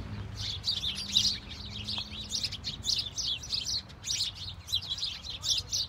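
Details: House sparrows in a flock out in the snow, chattering in bursts of sharp high chirps that rise and fall in loudness, with quiet, clean surroundings.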